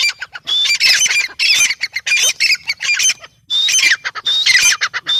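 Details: Grey francolin (teetar) calling in loud, harsh, squawking bursts with whistled overtones, delivered in rapid clusters with a brief pause near the middle; no other clear sounds.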